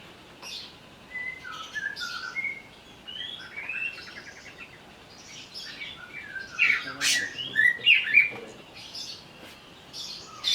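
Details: Agitated greater green leafbird used as a lure to provoke song: varied chirps and short whistled slurs, sparse at first, then a louder cluster of sharp chattering notes.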